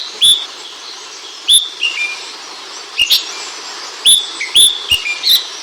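Ashy bulbul giving short, bright whistled chirps, some dropping slightly in pitch, in loose clusters about every second, with sharp clicks between them.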